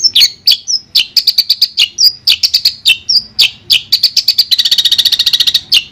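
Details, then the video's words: Song of a Long-tailed shrike, played as therapy to restart a silent bird: quick clicks mixed with short whistled notes, ending in a fast dry rattle of rapid ticks. "Terapi Suara Untuk Cendet Macet"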